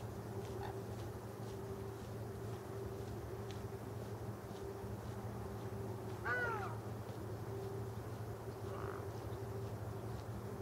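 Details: A lone ruddy shelduck, apart from its flock, calls while swimming on the Rhine on 1 January 2014: one loud, nasal, honking call, with fainter calls before and after, over a steady low mechanical hum.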